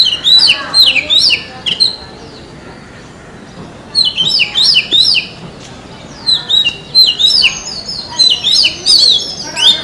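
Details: Oriental magpie-robin singing in a forest: loud bursts of varied, high whistled and chattering notes in three phrases separated by short pauses, with a faint background hiss.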